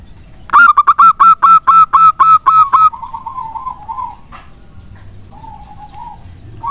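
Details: Zebra dove of local wild stock in full song, played to coax idle doves into replying; rapid run of nine strong ringing notes followed by a drawn-out softer purring coo and a few later faint coos.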